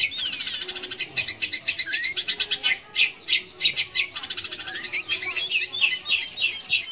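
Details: Long-tailed shrike (cendet/pentet) song intended to stimulate young or silent shrikes to sing: dense, irregular high chattering with rising and falling whistled slurs scattered through it.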